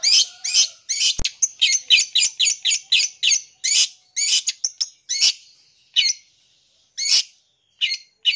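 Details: Long-tailed shrike song, a full-isian style filled with varied phrases, used to provoke young birds: harsh, buzzy high notes in a quick run of about three a second, then slower, spaced rasping notes with gaps between them.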